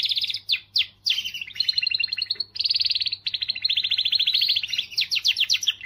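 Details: Strong canary song aimed at stirring females: continuous chain of rapid trills, each tour a rattle of repeated notes, switching pace several times without pause.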